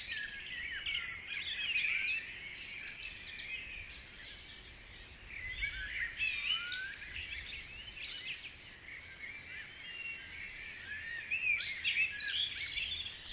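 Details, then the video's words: Birds at dawn in Guisborough chirp and trill in overlapping bursts. The chorus is busier at the start and near the end, with a soft hiss between the busy spells. "Dawn Chorus"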